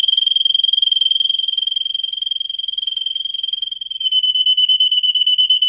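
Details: Russian singer canary, a breed kept for singing, in song used to train canaries: a sustained high rolling trill of rapid even pulses at steady pitch, slightly lowering and louder near the end, with no other sounds.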